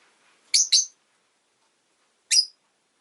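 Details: Two sharp, high, rasping chirps in quick succession from a Rosy-faced lovebird, then a pause of over a second before a single matching chirp; the background is silent.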